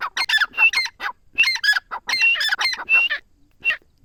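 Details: Grey francolin from Dera Ghazi Khan, Pakistan, known locally as teetar, giving bursts of rough, squawking, repeated notes in uneven clusters that trail off, leaving a final single note after a short gap.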